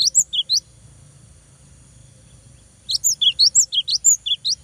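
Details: Cinereous tit song used to stir a rival into answering, with a short run of high chirps, a pause, then a longer stream of about ten quick, sharp slurred notes.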